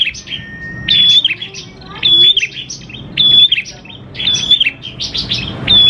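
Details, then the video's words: Prinia in lively song, recorded to coax prinias into singing: bursts of high, clipped chirps every second or so, each opened by a bright steady whistle, with a faint low hum behind. "PANCINGAN PRENJAK KLAWU GACOR, NGALUN BIKIN PRENJAK CEPAT BUNYI"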